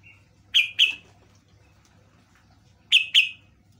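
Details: Yellow-vented bulbul lure song meant to draw other birds into answering: two pairs of loud, short, bright chirps, each pair quickly doubled and sliding downward, about two seconds apart, over a faint low hum.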